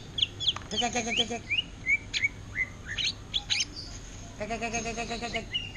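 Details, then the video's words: Greater green leafbird in orange-headed thrush style ngentrok song: separate whistled upslurs and chirps, interrupted twice by a buzzy, pulsed rattling sound. "Cucak Ijo Ngentrok Gaya Anis Merah"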